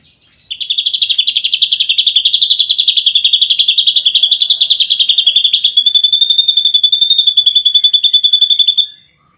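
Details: Long unbroken high pulsed trill of about eight seconds from a champion ashy drongo singing in the dense gacor nembak rapat style, beats fast and even, background otherwise quiet.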